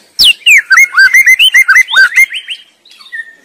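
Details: White-rumped shama in the wild singing a fast, melodious burst of clear whistled notes, slurred up and down and strung closely together for about two seconds, followed by a short pause and a softer trailing note.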